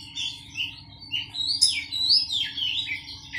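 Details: Caged Oriental magpie-robin with a skittish temper, kept among other birds in a colony to calm it, build its nerve and get it used to crowds: varied high whistled phrases sliding up and down, over a steady low electrical hum.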